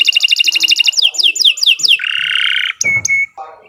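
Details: Canary singing a long varied song: rapid ticking syllables, a run of downslurred whistled notes, a steady buzzy trill, then brief sharp whistles and a low rolled phrase.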